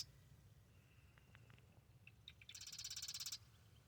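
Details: Morning marsh wren song at the Arcata Marsh Bird Sanctuary: after scattered soft ticks, a single loud, very high rattling trill of fast identical notes lasting under a second, against steady low background rumble.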